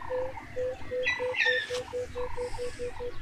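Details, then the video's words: A male Buff-crested bustard calls while courting a female in Tsavo East National Park, Kenya: a steady run of short, hollow, mid-pitched notes, about four per second, with brief sharper bird calls partway through. "Buff-crested Bustard Courtship"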